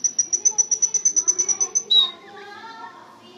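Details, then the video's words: Canary giving a thin, very high note repeated rapidly about fifteen times, then a short falling whistle, after which the song fades to faint murmuring notes. "صوت طائر الكناري canary bird sound"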